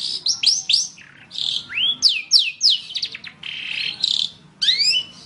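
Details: Long-tailed shrike, training recording for cage birds: varied song of rising and falling whistled slurs, rapid squeaky phrases and short buzzy passages, with gaps between phrases.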